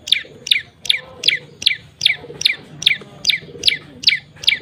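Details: Prinia call played as a lure for birds: a steady series of piercing, high chirps, each sliding downward, repeated roughly two and a half times per second throughout, with a faint low hum beneath.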